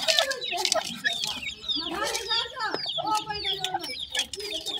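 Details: Several grey francolin chicks give quick, high peeping notes that slide sharply downward, overlapping in bursts, while lower, rounded clucking sounds and occasional broadband clicks run beneath the chatter.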